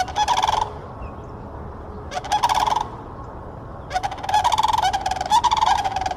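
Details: Florida sandhill cranes trade loud, throaty rattling bugles in quick bursts, with the later calls overlapping as more than one bird joins in, over a low constant rumble.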